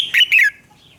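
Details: Red-whiskered bulbul singing in the morning, a recording meant for training other bulbuls to sing; two loud, quick whistled notes sliding downward, then quiet.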